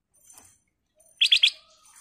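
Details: Black-crested bulbul (kutilang emas) lure song, a lively 'gacor' phrase: three quick, bright, ringing notes in a rapid burst after a faint soft chirp, otherwise quiet.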